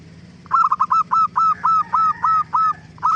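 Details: Zebra dove in lively song used to draw a reply from other doves: a quick burst of short stuttering coos running into a rapid even series of clipped notes, with a low background hum.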